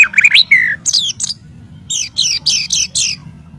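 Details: White-rumped shama, master audio to train birds: a few rising whistled notes and a drawn slur, then a series of sharp, high, downward-sweeping notes repeated in quick succession.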